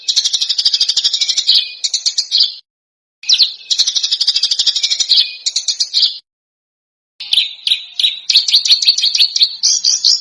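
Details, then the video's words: Contest-bird training song from Indonesia, described as tight, rough screeching. Three bursts of fast, shrill, buzzy trilling, each about two to three seconds long, are separated by brief silences. The final burst becomes a more varied, choppy chatter. "Masteran Burung Lomba JERITAN RAPAT DAN KASAR FULL TEMBAKAN TAJAM"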